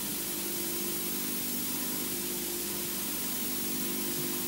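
Loud hissing static fills the recording over a faint steady electrical hum, and no animal calls can be picked out.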